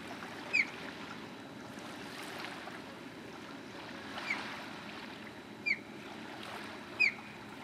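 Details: American Oystercatcher in Florida, 8 December 2020, giving four loud, sharp, down-slurred whistled 'wheep' notes spaced irregularly over several seconds against a steady wash of surf.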